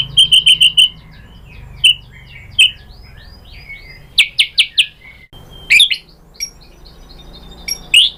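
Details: White-rumped shama, a female calling the male, uttering short high clipped notes in scattered bursts with quiet gaps between them.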